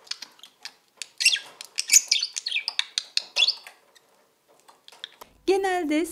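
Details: A caged budgerigar gives a courtship sound, made while courting its mate or a toy and bobbing its head: quick, high clicks and scratchy warbled chirps for about five seconds, then a voice-like tone cuts in at the end.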